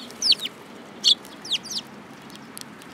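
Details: Sparrows at a Tenmangu shrine, 7 July 2022, flocking to eat food from a hand; a few loud chirps, some sliding sharply downward, then quieter faint chips.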